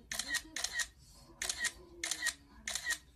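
A lovebird gives harsh, shrill screeching chirps in quick pairs, about every half second, over a quiet indoor background.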